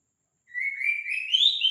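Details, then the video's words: Young white-rumped shama, about two months old, used as a lure to coax other shamas into singing: a clean whistled phrase that rises gradually from low to high over about a second, with faint higher overtones. "pancingan murai trotol agar cepat bunyi"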